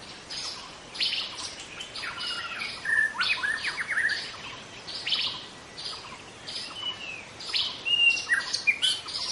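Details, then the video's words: Song of a young wild white-rumped shama from the forest: dense, rapid strings of high chips and short whistled notes, nearly continuous, with a louder flourish toward the end. "Kicau murai muda hutan"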